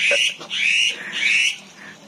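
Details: Black-winged myna, agitated, in a breeding aviary in Indonesia near its nest; three loud, grating, screechy calls about half a second apart, fading out with faint background bird notes.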